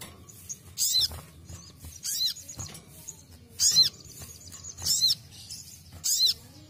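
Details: Ruby-cheeked sunbird basic song, used as training material for songbirds: sharp high notes sweeping downward, roughly one every 1.2 seconds, with a thin high-pitched trill running between them.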